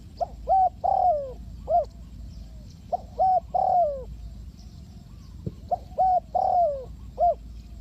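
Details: Spotted dove (cu gáy) calls, of the kind used to lure doves into a trap, from Ninh Thuận: three phrases of about four hollow coos, each ending in a drawn-out falling note, repeated roughly every two and a half seconds over a low rumble.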